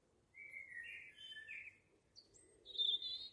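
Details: A young Eurasian blue tit: a run of smooth, steady whistled notes, then a brief pause and a sharper, higher buzzy call with a rapid flutter toward the end, against near-silent background.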